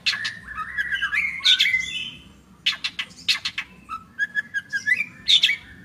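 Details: Long-tailed shrike with a busy mix of chattering notes, squawky bursts and whistled slurs, delivered quickly after a brief pause.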